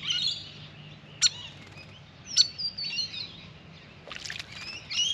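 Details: Restless grey fantail at a birdbath: high, sharp chips spaced about a second apart between thin, sliding squeaky whistles and a quick buzzy flutter of notes.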